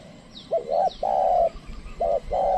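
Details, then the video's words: Trained spotted dove calling as a lure for wild doves that will not approach. A brief rising double note, a long even coo, then the pattern begins again. A few high falling chirps are heard early on. "pikat tekukur ajaran memanggil burung liar"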